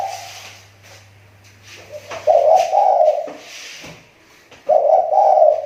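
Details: Spotted dove kept as a lure bird for trapping, its voice recovering after a recent drop; indoors, low rolling coos in two bursts, each a warbling phrase of several notes, with faint background hum.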